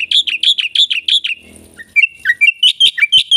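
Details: Black-winged myna in lively full song, described as packed with varied fill phrases: rapid, even run of bright chirping notes, then a short pause and a string of looser whistled and chirped notes.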